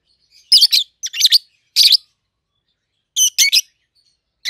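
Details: Piercing, harsh chirps from a pair of captive-bred peach-faced lovebirds, 7-8 months old, in red-headed green opaline and red-faced dark green colours, come as three doubled bursts, a pause, then two more.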